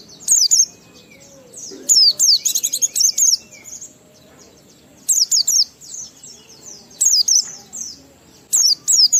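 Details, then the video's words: Oriental white-eye singing in ngalas fashion with sambung riwikan material to stimulate other white-eyes: short clusters of shrill, rapid chirps repeated roughly every two seconds, five bursts in all. "Burung Pleci Gacor NGALAS Isian sambung Riwikan Materi Ampuh Merangsang Semua Pleci langsung Gacor"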